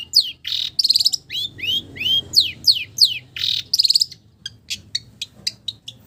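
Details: Long-tailed shrike song mimicking village birds, with sweeping down-slurred whistles, buzzy rattling bursts and sharp slurs, ending in a series of short high ticking notes.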